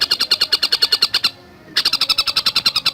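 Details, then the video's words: Javan cuckooshrike fast song for songbird tutoring: a quick series of clipped, slightly buzzy high notes about seven per second, a half-second pause, then the series resumes unchanged. "Masteran Burung Tengkek Buto Gacor Speed Rapat"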